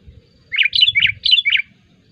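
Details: Sooty-headed bulbul chattering lure song meant to draw wild bulbuls: a quick string of four bubbly, rolling warbled notes, loud and clear over a soft low hum.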